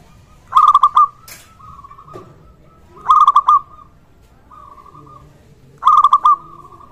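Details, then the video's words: Singing local zebra dove, a sound meant to prompt other zebra doves to call and to raise their arousal. Three quick rolling coo phrases come about every two and a half seconds, with fainter trilling coos and a brief click between. "perkutut Lokal gacor suara ini sangat cocok untuk masteran pancingan semua jenis burung perkutut"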